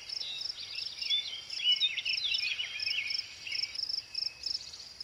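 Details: American robin singing a continuous string of warbled, whistled phrases that rise and fall, with a steady high insect trill running underneath throughout.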